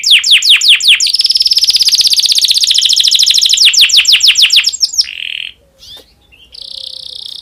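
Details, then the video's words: Domestic canary in breeding condition, song for stimulating other canaries: a fast bright trill of repeated notes, then softer buzzy fragments with short pauses. "PANCINGAN KENARI BIRAHI cocok untuk merangsang burung kenari supaya cepat bunyi"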